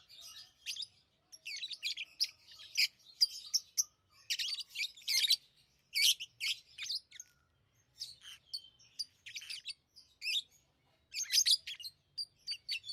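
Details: Pet lovebirds chatter continuously in high, rasping chirps and squeaky notes, grouped in rapid bursts roughly every half second to second, with a few brief pauses; otherwise quiet background.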